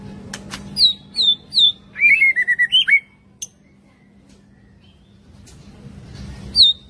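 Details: Young white-rumped shama giving its forest-voice song: three high, descending whistled notes, a run of lower warbled syllables and a sudden upward flourish, then silence before another high whistle.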